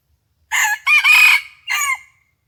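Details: Red junglefowl crowing on the morning of 27 January 2021 during a decoy session with a fighting cock; a loud, harsh crow in three parts, short note, long drawn middle, short falling end, over near silence.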